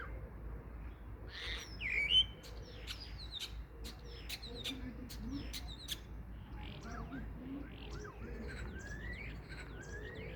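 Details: Common starling calling with a mix of sharp clicks, rattles and thin whistled notes, busy and varied throughout, with faint low background rumble.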